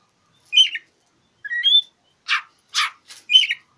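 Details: Oriental magpie-robin song aimed at a rival, used to provoke silent birds into singing: clear whistled notes and a rising slur, followed by harsh buzzy rasping bursts about once a second, ending with another whistled phrase.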